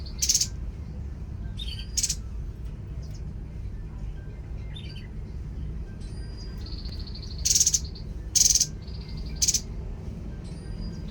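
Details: Tepus babbler singing sparsely: scattered sharp rasping bursts with long quiet gaps, then a run of high even whistled trills interleaved with three harsh bursts near the end, low steady rumble underneath.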